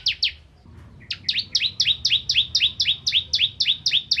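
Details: Bar-winged prinia (ciblek kristal) singing strongly as a magpie-robin tutor: two lone high notes, a pause, then a fast series of about eighteen paired, downslurred chips.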